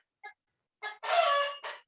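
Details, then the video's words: Domestic chicken calling in the background where a farmer discusses stress in poultry; a short note, then a drawn-out harsh, broad cackle lasting about a second, followed by a brief final note, in otherwise quiet surroundings. "ini sepertinya mengganggu kayak ini suara ayam nih."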